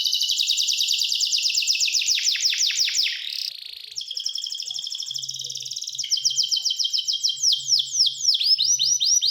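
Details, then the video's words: Canary song of fast repeated downward sweeps slowing into distinct notes, a brief buzzy roll, then a level trill and a closing run of quick slurred chirps; faint low hum in places. "The Voice of the Canary Bird, singing a super relaxing bird melody"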